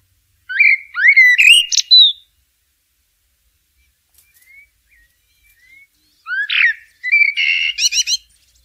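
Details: Blackbird singing in nature: two mellow fluted warbling phrases that rise and fall, each closing with a squeaky high twitter, separated by a long quiet pause with faint distant notes.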